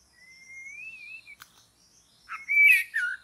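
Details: White-rumped shama in forest during trapping: a long, pure whistle that slowly rises and wavers, a sharp click, then a loud burst of bright, slurred notes.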